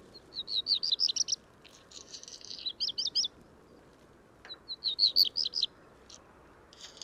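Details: Black redstart (Phoenicurus ochruros) at Portland Bill, 6 April 2021, singing high, rapid twittering phrases broken by a dry, scratchy crackle, repeated after a short pause.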